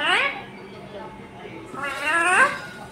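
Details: Ringneck parrot kept as a pet, talking "mummy papa": two strained, nasal, word-like syllables that sweep upward in pitch, one at the start and one near the end, with a faint background hum.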